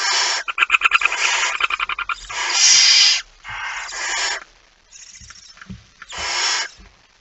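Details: Barn owl late at night on 17 September 2019, a male bringing a mouse; rapid stuttering rasps run into a long harsh hiss, then several further breathy screeches of varying length.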